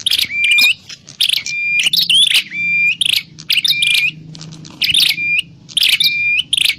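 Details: Grey prinia (prenjak klawu) lure call used for trapping: scratchy bursts followed by clear level whistles with rising ends, in irregular groups separated by short pauses.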